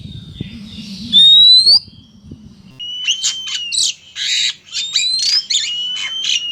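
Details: Oriental magpie-robin, male and female, used to lure birds: one rising pure whistle, then a run of harsh, scratchy bursts mixed with clear whistled notes.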